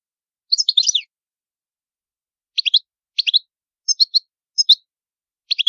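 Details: European goldfinch singing the antique Palermo Sicilian style: a twittering opening phrase followed by a series of short paired and tripled chirps spaced under a second apart, background silent.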